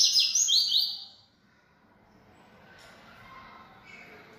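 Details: A bold coleiro-baiano, or yellow-bellied seedeater, that sings a great deal delivers a rapid burst of high, sharply slurred chirping notes for about a second, then falls silent apart from faint room noise.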